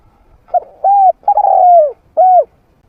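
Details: Medium-voiced trained spotted dove calling to attract wild doves into a fight. A quick soft note leads into a smooth coo, a long burry coo that slides down, and a final clear coo.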